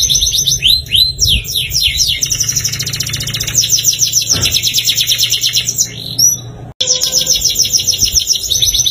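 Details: Canary in sustained, loud song meant to prompt caged canaries to sing, made of rapid rolling trills, chattering repeated notes and rising whistles, briefly cut off once, with a constant low hum underneath.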